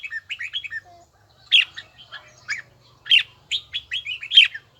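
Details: Red-whiskered bulbul training its bell-like voice: quick chattering whistles lead into louder, fuller warbled phrases of rising and falling notes.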